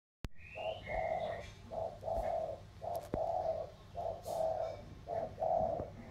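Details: Spotted doves of the thổ cooing style, one from the Sóc Trăng river delta and one from Cam Ranh mountains, in a cooing duel: low hollow coos, each a brief note then a longer drawn one, four pairs, with faint high chirps.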